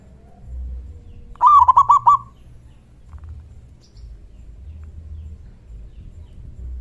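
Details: Calling local zebra dove, loud and in good voice, used to coax other doves into replying; one fast, purring phrase of about five rounded coos early on, then near silence with a faint low rumble.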